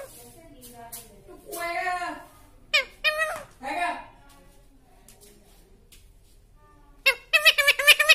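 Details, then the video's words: A talking parrot mimicking speech with a sweet voice: brief voice-like syllables with stacked harmonics around the middle, a long quiet stretch, then a burst of harsh, high, rapidly repeated notes at the end. "Talking parrot sweet voice"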